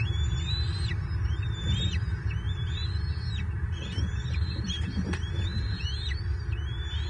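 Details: Bald eagle calling at a Southwest Florida nest on 24 March 2023 while the adult male brings an armored catfish that an eaglet seizes. Thin high whistles with a quick upward sweep come in a steady series, partly masked by deep wind-like rumble and a brief click.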